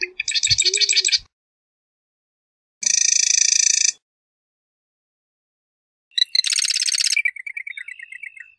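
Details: Three marsh wren songs separated by pauses: a rapid rattling trill, then a steady mechanical buzz, then a dense harsh trill that trails into a series of lower, scattered chips. A few low thumps are heard early on.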